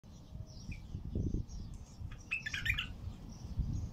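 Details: Bulbul singing out in nature, praised for a heavy, deep voice: a short burst of bright warbled notes near the middle, over a steady low rumble of background noise.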